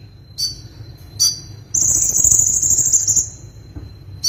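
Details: Van Hasselt's sunbird in lively full-variety song: short high thin notes, then a sustained rapid shimmering trill of nearly two seconds, very high and buzzy, ending with another brief note.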